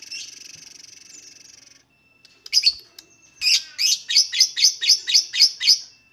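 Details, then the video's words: Lovebird song meant to prompt other lovebirds to sing: a buzzy hissing stretch, then a row of loud, sharp, high chirps at about four per second. "LOVEBIRD SINGING"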